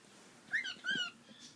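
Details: A pet cockatiel says "sweetie" or "tweety" in two quick, whistly talking phrases, the first sliding upward and the second flat and buzzy, while laughing with a person.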